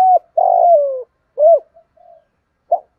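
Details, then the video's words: Caged decoy spotted dove giving a 'thúc gù' urging coo, used to train newly caught or long-kept birds that will not coo: a short note, a long drawn coo sliding lower, then two brief hollow coos, against silent surroundings. "Tiếng THÚC GÙ chim cu gáy mồi"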